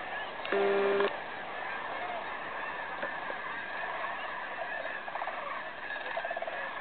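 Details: Cranes flying in to roost during the 2011 Festival of Cranes at Bosque del Apache National Wildlife Refuge, New Mexico: a dense chorus of overlapping rolling calls from many birds, with a brief steady electronic tone early on.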